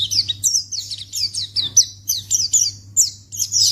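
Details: Lure call of a white-eye (pleci), aimed at drawing a quick response from untamed birds of any type: short, high, downslurred chirps repeated roughly every third of a second, steady and piercing, with a low hum beneath.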